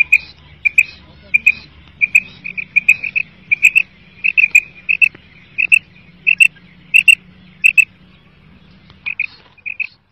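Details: A female Common quail in Pakistan, used as a hunting lure, gives short, sharp, high notes in quick pairs and triplets, with bursts about every half second and brief pauses, over a faint low hum.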